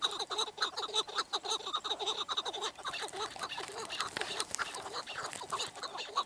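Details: Chukar partridge producing repeated throaty clucks, about two each second, overlapping into a ragged chorus that grows busier and noisier toward the end.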